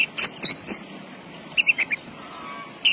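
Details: Javan bush lark singing actively: scattered high, sharp chirps and short buzzy notes in two quick bursts, a pause, then one more bright note near the end, over a faint steady hiss.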